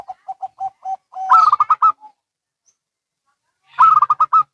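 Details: Local and Bangkok zebra doves calling back and forth: a row of short, even, low coos, then a louder, higher run of rapid rolling notes. After a pause the loud rolling burst comes again.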